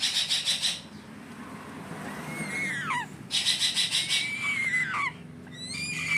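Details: A grey-headed fish eagle chick being hand-fed begs with bursts of rapid, high, scratchy cheeps, broken by thin whistled squeals that rise and then slide sharply down.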